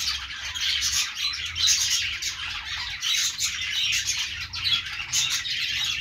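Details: Budgies chirping together, a dense, continuous chatter of high, fast, buzzy twittering notes and squeaks overlapping with no pauses throughout.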